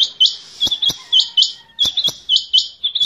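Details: Rain quail call used for hunting: sharp, high chirped notes with downward hooks, given in quick pairs and bursts of two or three, separated by brief sharp clicks.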